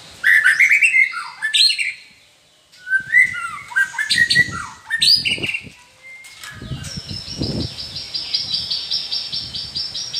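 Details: Captive champion white-rumped shama in Gondanglegi, Malang, East Java, performing live. A rich, varied run of rapid twittering, whistles and rattles, broken by a brief pause, with a steady higher buzzy trill and background knocks near the end.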